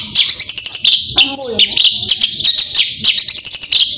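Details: A long-tailed shrike sings a loud, rapid, scratchy run of high chattering notes and sharp whistles, packed with quick mimicked phrases; a song used to provoke reluctant shrikes into singing.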